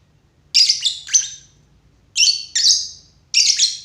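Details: Lovebird producing rasping high chirps: a group of three, a short silence, then three more strident notes spaced about half a second apart.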